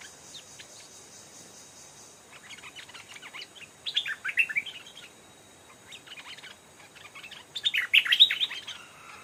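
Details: Stripe-throated bulbuls, a caged decoy and a fierce old wild bird that twice came to the trap, exchanging bursts of rapid, bubbly chattering notes in two loud outbursts separated by quieter scattered chirps, over a high steady hiss.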